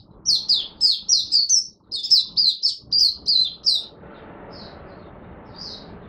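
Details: High-pitched buka sing of a Singapore Oriental white-eye on a humid, warm, rainy, overcast 23 March 2023: a rapid series of about eleven bright chirping notes, followed by two soft isolated notes over a low background hum.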